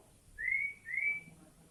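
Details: Sooty-headed bulbul in fast song with greater green leafbird mimicry: a pair of pure, rising whistled notes about half a second apart, clean and loud against a quiet background.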